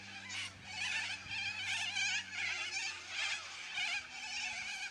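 Yellow-crested cockatoos in a noisy flock: harsh, rasping screeches overlapping in bursts about twice a second, with a faint low hum underneath.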